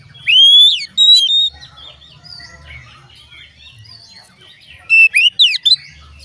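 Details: Oriental magpie-robin song played to prompt other magpie-robins to sing: loud clear whistled phrases, rising then sliding, in two bursts at the start and a rapid run of sharp notes near the end, with softer twittering between.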